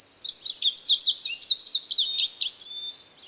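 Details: Rapid, high-pitched bird song: a dense run of quick slurred chirps and zigzag notes for about two and a half seconds, then a thin fading whistle, with nothing else audible.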